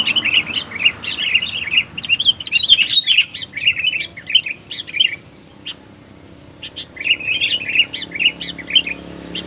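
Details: Loud, clear sooty-headed bulbul song used to encourage silent bulbuls to sing: rapid bubbly bursts of high chirping notes, a pause of about a second, then another lively burst.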